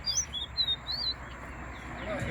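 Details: A chestnut-bellied seed-finch at a singing competition in Guyana sings a quick run of high, sweet whistled notes lasting about a second, while people count its songs aloud in the background.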